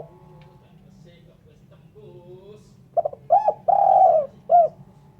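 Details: Clean spotted dove call for bird luring, faint soft notes then a loud phrase of clipped hoots, a long purring coo and a closing short coo.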